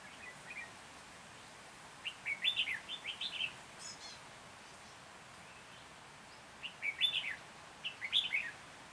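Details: Singing red-whiskered bulbul acting as a lure for trapping wild birds in Hòa Bình, Vietnam, mid-January 2021; short bursts of rich, rollicking whistles come in groups with quiet gaps, against steady outdoor hiss.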